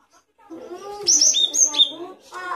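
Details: Great tit singing in a recording used to teach other songbirds: a quick series of high, clear notes sliding downward. Softer, lower warbling tones sit beneath and before the phrase.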